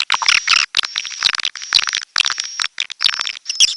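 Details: Short bursts of shrill twittering chirps from a red-nest edible-nest swiftlet, each burst under half a second with brief silences between, a thin steady high tone running beneath.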